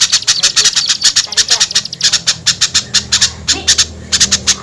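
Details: Attraction call for small birds slow to come down: sharp high chips repeated rapidly in uneven clusters, with a low steady hum rising in the background during the second half.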